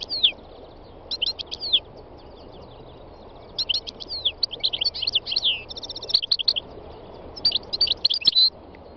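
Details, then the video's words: Wild European goldfinch song of the khalwi style: quick bursts of liquid twitters and buzzy trills separated by short pauses, with a few sharp clicks and a faint continuous hiss behind. "chant chardonneret sauvage khalwi goldfinch تغريد مقنين خلوي"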